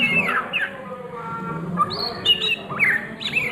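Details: Ngriwik-style Oriental magpie-robin song by day: high whistled notes, some falling and some held flat, with quick chips between them, broken by a short quieter gap before the phrases resume.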